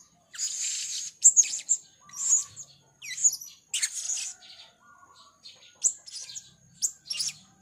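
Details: Female Blue-crowned hanging parrot, red-speckled gocor serindit used as a trapping lure, giving shrill high-pitched chirps and buzzy squeaks in quick clusters about once a second, some notes sliding upward, faint background hum.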